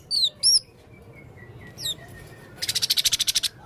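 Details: Male blue-crowned hanging parrot in lively song: thin high whistled notes, a faint sliding whistle, then a fast rattling trill of about a dozen pulses.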